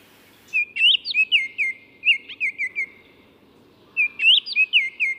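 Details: Baltimore oriole giving two phrases of loud, fluty whistles: each is a quick run of about six to eight bright notes, some rising and some falling. A short pause comes first, then a longer silence separates the phrases.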